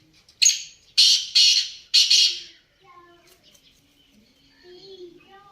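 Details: Black francolin calling: four harsh, rasping, grating notes in quick succession, followed by quiet with only faint background sounds.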